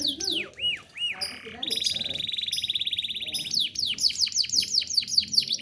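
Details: Domestic canary song used as a master recording for training other birds: looping whistled arcs, then a long fast metallic trill, ending in a run of repeated downward-sweeping whistles; soft low background noise.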